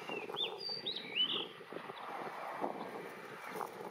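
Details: Blue rock thrush singing: a few clear whistled notes, some slurred upward and some bending down, packed into the first second and a half, then fainter broadband background sounds.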